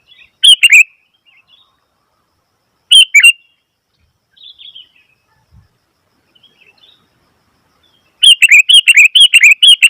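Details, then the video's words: Noisy Sooty-headed bulbul chirping in separate loud bursts, with a faint phrase between them, then ending in a fast, continuous run of repeated slurred notes. "Suara Burung Kutilang ribut"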